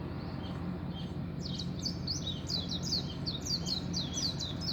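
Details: Birds at dawn giving high, quick chirps and twittering notes, sparse at first and then a busy overlapping run, over a steady low hum.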